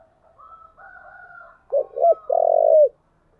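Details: Spotted dove song used to lure wild doves. A soft, low, wavering coo opens the phrase. Two short, loud coos follow, then one long drawn-out coo that falls at the end. The background is otherwise quiet.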